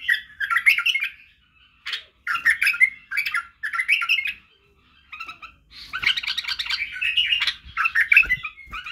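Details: White-eared bulbul singing, used to teach young bulbuls to sing: rich warbled phrases of mixed whistles and chatter, delivered in bursts of one to two seconds separated by short pauses.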